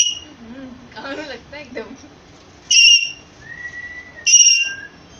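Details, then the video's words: Indian green parrot whistling: after a person speaks briefly, two loud, pure, high whistles, each about a third of a second, come with a softer, steady lower whistle between them. "Indian green parrot making whistle sound"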